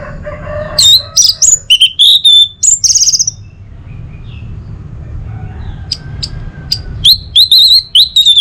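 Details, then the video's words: Lively Orange-headed thrush song for stimulating other birds in the morning: bursts of quick varied whistles and chirps, a quieter gap with faint background, then another rapid run of high, bright notes. "Saatnya Buat ANIS MERAH NGEPLONG Gacor dirumah. Pancing dengan suara burung ini baik pagi hari."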